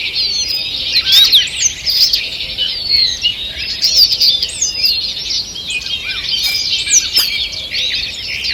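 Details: Forest birds singing in the morning, 2 June 2023: a thick tangle of quick high twitters and short whistles from several birds, with loud bright notes around the first and fourth seconds over soft background hiss.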